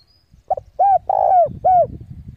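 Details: Spotted dove used as a decoy to call rival doves in to fight, giving a brief double note, then arched coos around a long burry one, over low rustling background noise.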